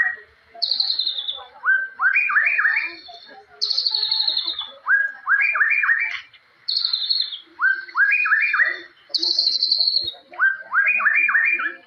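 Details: Forest white-rumped shama singing full cililin-style shots, high descending trills followed by bursts of four or five rapid rising whistles, phrases repeated roughly every three seconds with short pauses.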